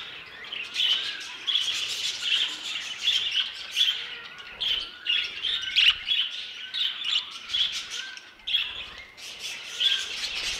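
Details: Budgerigars in an aviary give quick, sharp chirps in short clustered bursts roughly every half second, over a softer background of warbling flock chatter.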